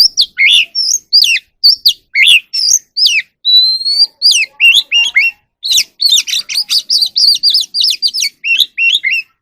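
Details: Wild oriental magpie-robin singing and dancing at dusk: a long, varied song of sharp downslurred whistles, a drawn-out pure whistle, then rapid tumbling phrases of rich, chattering notes.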